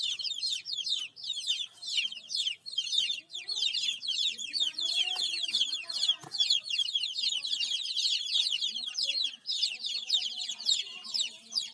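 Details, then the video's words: Baby chicks chirping continuously: many overlapping high, sharp downslurred peeps from several chicks, with a few softer lower cheeps underneath. "Baby Chicks Chirping Sounds"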